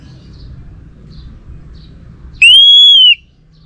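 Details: One long, steady whistled note from an orange-headed thrush, slightly arched in pitch and rich in overtones, over soft low background noise.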